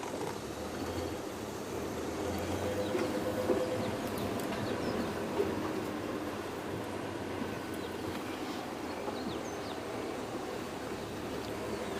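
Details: Steady low engine rumble and broad hiss like a passing vehicle, with no clear animal call standing out.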